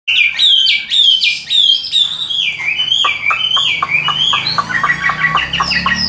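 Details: Tame caged Chinese hwamei from Vietnam, singing while its cage is carried by hand. Loud, rich whistled phrases slide and warble high, with rapid repeated notes and a steady, even voice throughout.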